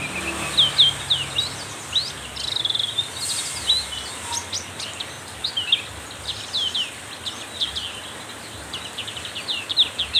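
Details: A black-capped white-eye is spurred on by a heavy downpour, giving rapid bursts of high, sharp chirps and twittering trills with brief pauses between phrases, all over the steady roar of rain.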